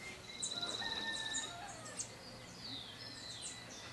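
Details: White-lined Tanager at Sachatamia Lodge, Ecuador, May 2012, giving quick, high chirps and short thin whistles, several notes a second, over a busy chorus of other birds.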